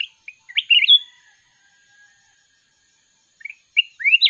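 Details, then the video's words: Wild red-whiskered bulbul singing in a song contest, sweet rich warbled phrases of bright slurred whistles, two bursts separated by a long pause, no other sounds. "chào mào núi hót đấu giọng cực ngọt"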